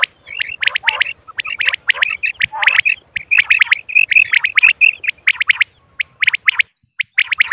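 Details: Dense, energetic chirping from a female common quail, crisp notes rattled off in fast runs with scattered higher pips. A faint low pulse lies underneath.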